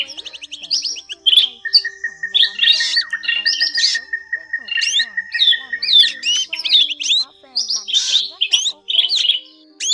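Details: Drongo calls from a net-trapping lure recording said to cover black, forest and fork-tailed drongos. Harsh chattering phrases and upslurred whistles are dense and high-pitched, crossed by a long even string of rapid beaded notes at mid pitch, over a faint low hum.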